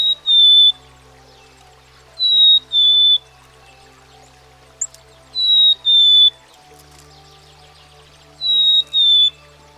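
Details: Repeated whistled song of a Black-capped Chickadee from American backyards: four two-note phrases, high then slightly lower, roughly every two to three seconds, with a brief faint squeak between and a low constant hum behind.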